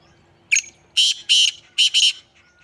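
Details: Black francolin in Sindh, Pakistan, giving a loud, harsh, grating call: one short rasping note, then two paired buzzy notes, a pause, and another harsh pair, over a quiet background.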